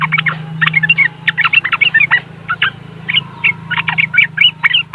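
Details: Riwikan chatter of a yellow-vented bulbul from West Java, Indonesia, phone-recorded for use as a lure to prompt caged birds: dense, fast, clipped chirps and twittering notes running almost without pause over a low electrical hum.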